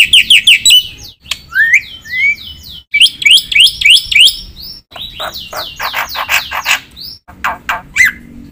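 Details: Black-winged myna singing actively, a song full of varied fill-in phrases: quick series of sharp rising whistles, slurred upward notes, bursts of rapid chattering syllables and a final clear whistle, loud and close.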